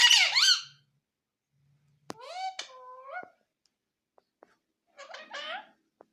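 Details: A talking pet parrot indoors gives a shrill squeaky phrase, then after a pause a longer nasal speech-like utterance and a final brief squawking phrase, with faint clicks between.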